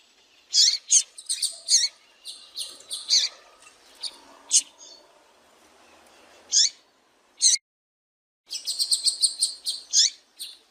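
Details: Female double-collared seedeater (Sporophila caerulescens) calling, used to stir up males and make them sing: high, sharp chips, single or in quick clusters, with a short silent pause before a faster run of notes.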